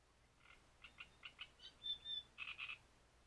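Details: Breeding-season great reed warbler at Grachevka: a series of gruff, creaky notes repeated in quick pairs, then a clear high whistled note, then a loud triple of harsh croaks.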